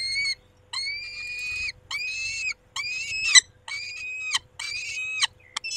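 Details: Peregrine falcon male at the nest with the females at 19:40, calling in rough, rasping wails of varying length, one after another, with a sharp click midway.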